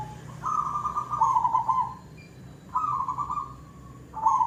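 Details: Zebra dove, silver type, singing in the koong style: bubbling, rolling cooing phrases of about one and a half seconds, separated by short pauses, with a low background hum.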